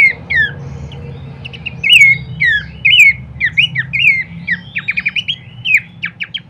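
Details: Horsfield's babbler singing, used as a lure and master for training cage birds: loud slurred whistles falling in pitch, then a burst of short clipped rapid notes near the end, over a low background hum.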